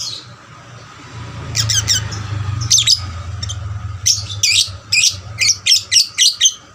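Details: Young lovebird singing diligently to provoke other lovebirds into song; scattered sharp chirps building into a rapid regular series of high, shrill notes about three per second, with a low rumble early on.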